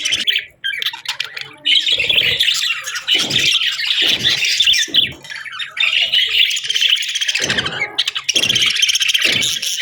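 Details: A flock of budgerigars warbling on a quiet morning: a rapid, chattering mix of chirps and squawks in long bursts, broken by short pauses and faint low taps.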